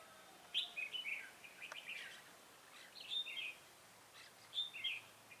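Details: Red-whiskered bulbul song during bird trapping, 7 January 2018: clear, rolling two- and three-note phrases spaced a second or two apart, bright and slightly slurred, over quiet hiss.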